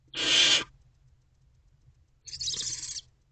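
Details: Owlet in a nest box around 12:35 am on 6 March 2024, taking a rodent after yawning; two harsh, breathy hissing screeches, the first about half a second, the second longer after a pause, with a faint low hum beneath.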